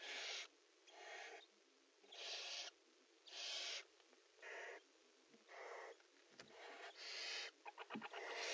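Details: Barn owls in a nest box, mating, repeat drawn-out harsh hisses about once a second, ending in a quick series of clicking, rasping pulses and a knock.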